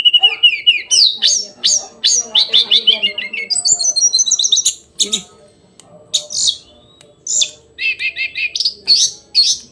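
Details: Hill blue flycatcher in lively daily song: rapid, repeated descending whistled phrases tumbling into twittering, then a pause and several bright rising slurred notes.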